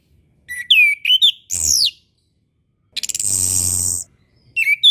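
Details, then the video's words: Orange-headed thrush tutor song for birds slow to sing after moulting: bright rising and falling whistles, a high sweeping slur, then a long harsh buzzing rattle before more whistles. "MASTERAN SUARA ANIS KEMBANG KHUSUS UNTUK ANIS KEMBANG BARU BELAJAR BUNYI DAN KURANG BIRAHI"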